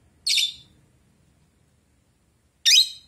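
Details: Pet blue Rosy-faced lovebird indoors replying to a toy duck. It gives two short, shrill, raspy chirps about two seconds apart, with silence between them.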